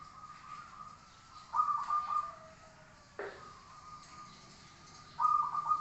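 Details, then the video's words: Zebra dove song used as a master recording for training birds. Two short bursts of bubbling, trilled cooing are separated by a level hum, with a sudden sharp sweep midway. "masteran suara burung Perkutut"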